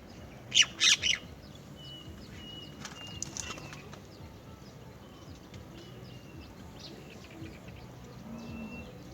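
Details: Great myna bringing a cricket to its chick: three loud, harsh, broadband bursts close together in the first second, then only soft distant chirps over a steady low background hum.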